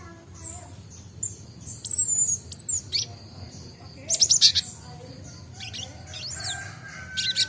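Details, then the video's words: Great tit (Gelatik Batu), a young bird learning its sounds and just starting ngombyok: scattered high whistled slurs and thin chips, then a dense burst of twittering around four seconds and more chirps near the end. "Burung Gelatik Batu|Glatik Watu | belajar bunyi| baru dapat ngombyok"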